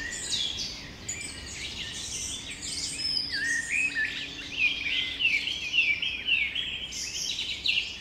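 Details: Busy spring bird chorus at Carlsbad Flower Field in California, USA: many quick high chirps and twittering phrases overlap, building toward the end, with faint hiss behind.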